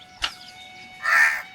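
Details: A perched crow gives a short harsh caw, then after a pause a longer, hoarse, drawn-out caw, over a faint steady hum.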